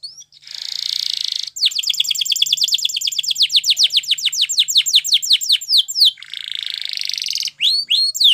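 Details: Spanish Timbrado canary song for training: a buzzy sustained trill, then a fast rattling series of repeated rising notes, returning to the buzzy trill and a few swooping whistles at the close.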